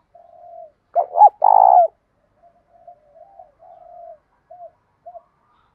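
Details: In the 'thổ' style with 'thúc', a spotted dove gives its morning call to lure other doves. A soft hum leads into a quick double coo and a long, throbbing, downward coo. Scattered faint low coos trail off afterwards.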